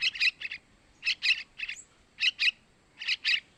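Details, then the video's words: Begging calls of a young sooty-headed bulbul, played to attract males: rasping, chattery notes given in pairs and triplets, spaced irregularly with short silent gaps, fairly loud against a quiet background. "Suara Anakan Trucukan buat Pancingan burung Trucukan jantan"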